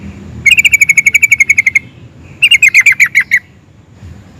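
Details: Excited sooty-headed bulbul singing, meant to provoke other bulbuls into answering: a rapid run of about fourteen bright, even chirps, a pause, then a shorter faster burst of eight descending chirps and a final note.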